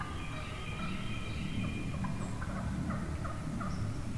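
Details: Wild turkey hens in a huge flock one morning, heard from the middle of the flock: short, nasal, evenly spaced yelping notes repeat over a steady low rumble of background noise.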